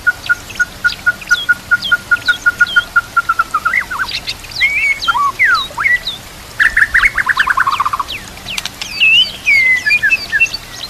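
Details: Murai batu (white-rumped shama) training song: a long string of identical short notes, repeated several times a second, then swooping whistles, a fast descending trill and varied high phrases.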